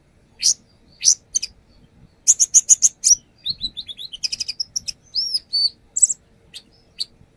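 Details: Brown-throated sunbird performing a lure song full of learned fills: sharp high chirps, then a quick stuttering run of clipped notes and a few rising whistled slurs, all thin and bright.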